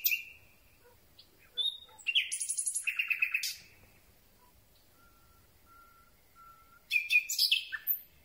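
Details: Night song of a Common Nightingale captured at close range from a telescopic boom: short varied phrases, a high trill of rapid pulses, then a pause with a few soft low whistles before another burst of rapid notes.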